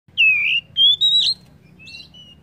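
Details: Oriental magpie-robin song: three loud, clear whistled notes, the first dipping and the next two rising and level, then softer short whistles and a falling note, over a faint low hum.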